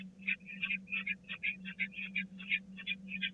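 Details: Rapid harsh chittering bursts, about three each second, from peregrine falcon chicks begging at feeding time at the Catharinakerk nest in April 2019, a constant low hum beneath.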